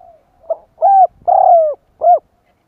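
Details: Decoy call of a spotted dove for luring wild doves: four low, hollow notes, short, medium, long and falling, then a clipped last coo, clear against near silence.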